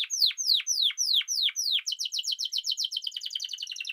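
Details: Spanish timbrado canary in song: six loud downward sweeps about every quarter second, then a quickening rattle of short clipped notes.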